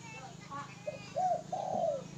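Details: Spotted dove giving a brief coo phrase, a short note followed by a longer, slightly falling hollow coo, with a faint low hum beneath.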